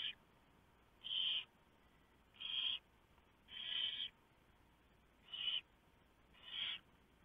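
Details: Barn owl nest before dawn, 3 November 2015. The male has brought a huge mouse, which the female tears up for the owlets. Loud rasping hisses of about half a second repeat roughly every 1.3 seconds against faint background noise.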